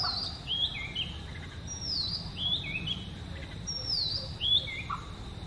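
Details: Oriental magpie-robin in natural song, one of seven sweet melodies: clear high whistles sliding downward, each followed by a lower twisting note, repeated in short phrases with quiet gaps and low background rumble.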